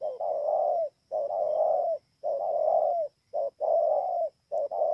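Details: Spotted dove in Kon Tum, Vietnam, 28 November 2017, cooing in full, rounded phrases. Each phrase lasts about a second, separated by short silences, with one clipped note near the end. A faint steady whine runs throughout.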